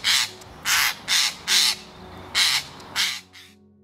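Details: Eurasian jay in the UK giving one of its most distinctive calls, six harsh, rasping screeches in quick succession, about two per second, over faint background music; jay calls are said to vary greatly.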